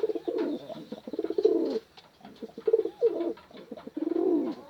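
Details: Merpati pigeon cooing to call a female, with bursts of low throaty coos and a few rising-falling notes, separated by brief quiet pauses.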